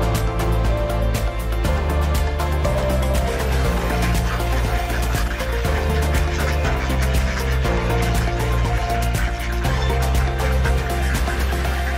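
Steady music with a deep bass line and rhythmic beat fills the whole stretch; no animal calls stand out.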